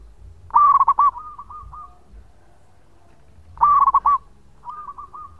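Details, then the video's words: Zebra dove of a local type singing its long song, intended as a lure: two loud phrases of quick rolling coos ending in rounded notes, each followed by a softer cooing reply in the background. "Perkutut Lokal Gacor Suara Panjang buat Pancingan"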